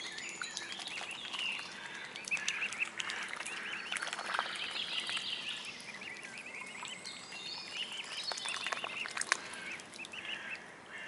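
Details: Mute swan cygnets: many thin, high peeping and chirping notes overlap almost without pause, with scattered sharper clicks and soft rustling beneath.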